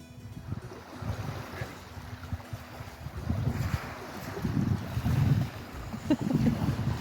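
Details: Wind buffeting the microphone, lapping waves and a low engine rumble near the water, with no animal calls.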